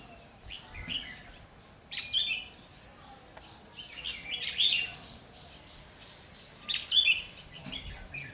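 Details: Repeated brief chirpy warbles, about one every two to three seconds, from a decoy red-whiskered bulbul set out to trap wild birds, 30 June 2020, with occasional knocks and rustles.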